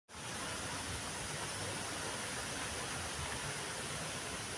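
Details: Continuous even hiss like rushing water or wind fills the recording from start to end, with no animal calls.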